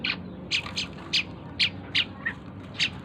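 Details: Asian pied starling, a tame bird, singing continuously: short harsh buzzy notes repeated about once a second, some double, with one lower softer note, over a faint low background hum.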